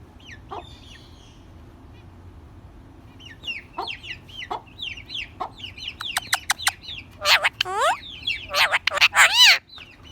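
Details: Rose-ringed parakeet, a talking ringneck parrot, giving a run of sharp rising and falling squawks and whistles, sparse at first then dense and loud near the end, with quick chattering bursts.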